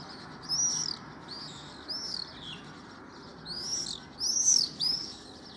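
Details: A flock of swifts circling close to a window with a nest entrance in June 2020, with birds flying in and out; shrill, high screaming calls in arched bursts, about five screams over five seconds, separated by gaps of soft background hiss.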